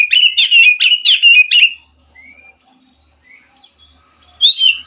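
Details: Wild white-rumped shama, heard to prompt a caged bird that will not sing: a burst of loud rapid chattering whistles, a quiet pause with faint distant notes, then a sharp rising whistle returns.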